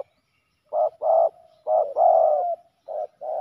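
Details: Male spotted doves scrapping at a ground decoy setup; short coos and one drawn-out descending croo run together, with faint low murmurs between notes.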